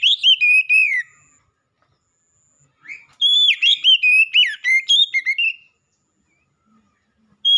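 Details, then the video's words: Black-breasted oriental magpie-robin delivering a strong whistled song: a short warbled phrase, a pause, then a long run of clear, sliding, varied notes, and a final note starting just before the end. "KACER DADA HITAM POWER KERAS"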